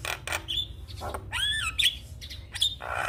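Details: Champion black-winged starling singing a tutor song used to train birds to sing quickly. Harsh broadband rasps alternate with bright whistled notes, one rising then falling whistle near the middle, and a steady low hum underneath.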